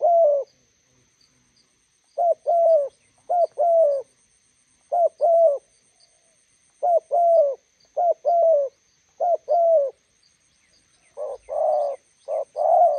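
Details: Roadside session with a spotted dove decoy meeting a wild bird; paired husky coos, a brief clipped note followed by a drawn-out one, sounding in spaced groups, with the final phrases blurring together.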